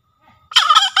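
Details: Green junglefowl from Java used as a trapping and training lure: an abrupt rasping crow bursts in after near silence, broken into quick harsh pulses, with a fresh note starting at the end.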